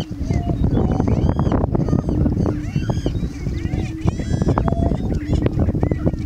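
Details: Greater prairie chickens performing their courtship dance on the morning of 4-11-16: low, hollow booming notes hum steadily beneath a busy chorus of sharp, arching cackles and whoops from several birds.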